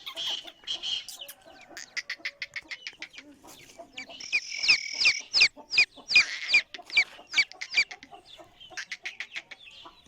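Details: Female black francolin calling to attract males: rapid series of short, sharp clicking notes, a loud burst of squeaky, rising and falling notes midway, then more quick clipped notes trailing off.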